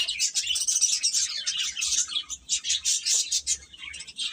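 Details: Chicks peeping nonstop, shrill high-pitched cheeps tumbling over one another in a dense, lively stream, with faint low thumps beneath.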